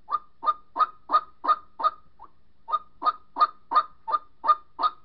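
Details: White-breasted waterhen calling its mate in a lure recording: six loud nasal honks, a weak short note and a brief gap, then another fast, regular string of harsh honking calls.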